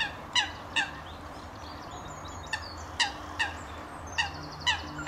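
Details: Common redshank at a wetland scrape, RSPB Rye Meads, UK, in April 2013, gives loud, piping, slightly descending notes in pairs and triplets, about eight in five seconds, over a low rumble and faint chatter of other birds.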